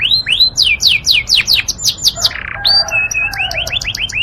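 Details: A singing Yorkshire canary delivers a series of bright descending whistled slurs, a short rough burr, then a level whistle and quicker rising-falling notes, clear and close.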